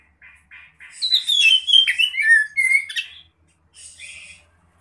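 An Oriental magpie-robin sings a rapid, varied run of clear slurred whistles and scratchy notes, then ends with a brief buzzy phrase.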